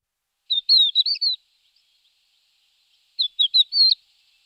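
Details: Thekla's lark giving two short bursts of clear, slurred whistled notes, each a quick run of four or five syllables, separated by about two seconds of silence; no other sounds.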